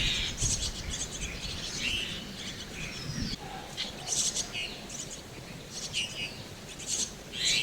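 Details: Chestnut-tailed starling nestlings in a tree hollow, with parents raising them: short harsh, raspy bursts come irregularly about once a second, mixed with thin high chirps over a steady background hiss.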